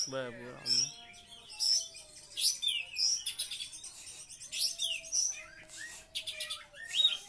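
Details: Oriental magpie-robin song imitating the kapas tembak: dense bursts of shrill, piercing notes and quick downslurred whistles. A brief low, buzzy harmonic sound comes near the start, and a faint steady hum runs behind.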